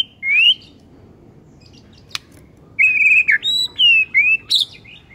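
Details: A white-rumped shama sings in the morning to stir up rivals: a clear slurred whistle, a pause, then a string of sweet sliding whistled notes over faint background noise.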